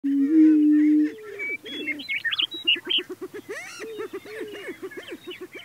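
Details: Prairie chickens: a loud, steady low hoot is followed by a dense chorus of short, rising whoops and cackles, repeated rapidly, with higher chirps and squeals overhead, suggesting several birds calling together outdoors.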